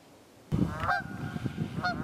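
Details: Wild geese in the Quehanna Wild Area, Pennsylvania, on 27 February 2018, giving two nasal honks about a second apart over a low rumbling background.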